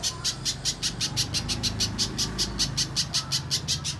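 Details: Spiderhunter known locally as pijantung pisang, recorded as a training master for bird contests: a steady series of sharp, high chip notes roughly three each second over low background noise.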